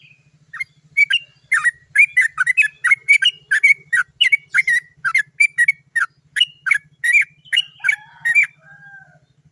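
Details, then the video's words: Yellow-vented bulbul (trucukan) in a long 'cok cok cok ngerol panjang' song used to prompt other birds to sing: a sustained, irregular stream of sharp, chattering and slurred notes over eight seconds, with a steady low hum. "TRUCUKAN GACOR ... suara cok cok cok ngerol panjang PANCINGAN burung trucukan agar cepat bunyi"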